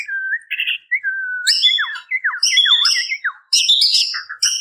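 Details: Female white-rumped shama calling for males: flat whistled notes, then a series of swooping downslurred whistles mixed with harsh high buzzes and chips.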